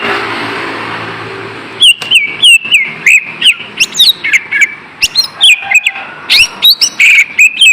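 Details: Lesser green leafbird lure song meant to make a lazy caged bird sing: after a soft hiss, a fast run of bright whistled slurs and chips, rising and falling, about three notes a second.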